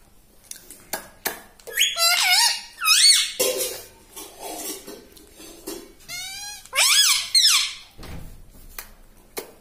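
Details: Pet talking parrot mixing sharp clicks and taps with loud, harsh, wavy syllables, including a fast warbled series and rising-falling notes, delivered in an irregular, chatty stream.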